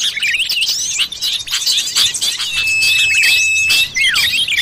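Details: Common iora in the wild, a lure call used to attract forest birds: a long, flat, held whistle that ends in a falling slur, over a dense layer of high twittering and chirping notes.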